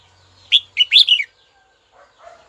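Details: A kept red-whiskered bulbul calls to a rival: four rapid bright whistled notes in a tight phrase, then silence broken by faint low chatter near the end.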